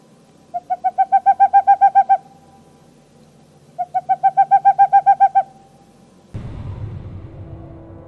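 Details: ['Owl calling: a rapid run of about a dozen short, even, tonal notes lasting under two seconds, repeated twice, followed by a burst of broad rumbling noise.']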